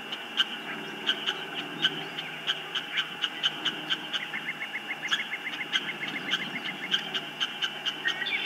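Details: Ospreys at a nest, filmed by a nest camera on 19 April 2024 as birds come and go; a steady series of sharp, high whistled chirps roughly three per second, with a faster rapid run of notes midway.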